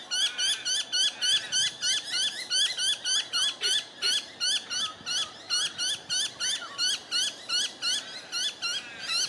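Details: Two tawny frogmouth fledglings with their family at night, Melbourne, Victoria, Australia, in October 2020: an unbroken series of loud, high, clipped calls repeated steadily at about three per second throughout.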